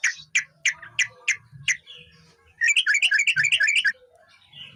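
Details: Sooty-headed bulbul (trucukan) song, a lively chatter: five sharp chirps near the start, then a fast run of rich bubbly whistled notes, with quieter low background hum.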